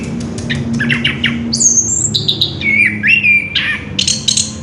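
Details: An orange-headed thrush in rolling ngerol song, taped 3 March 2016: faint scratchy notes give way to clear long whistles, one high and level, then lower rising slurs, followed by buzzy chatter, with steady low room hum beneath.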